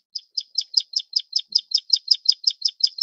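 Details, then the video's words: Taiwan endemic subspecies of Plain Prinia (Prinia inornata flavirostris) giving a steady string of about sixteen sharp, buzzy high notes, each a short scratchy burst, delivered rapidly and evenly after a brief silent start. "褐頭鷦鶯/Plain Prinia"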